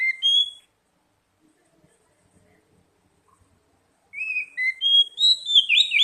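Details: Oriental magpie-robin lure song meant to get young birds singing quickly: a short whistled phrase, a long silence, then a lively run of loud, varied whistles ending in a fluttering cluster.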